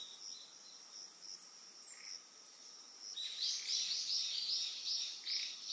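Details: Eastern yellow wagtail calling on Amami Oshima, Japan: after quiet insect buzzing, a loud burst of quick, high, slurred chirps begins halfway through and repeats rapidly to the end, over a continuous shrill insect hum.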